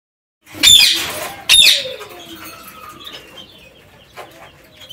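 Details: Several kept parakeets in an aviary give two loud, harsh, buzzy screeches close together, then softer scattered chatter and faint rising notes fading into quiet background.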